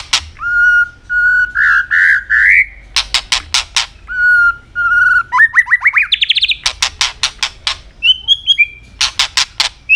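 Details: A robin, described as an Asian bird, singing: steady whistled notes and rising slurred phrases that climb in pitch. Sharp, dry clicks come in bursts between the phrases.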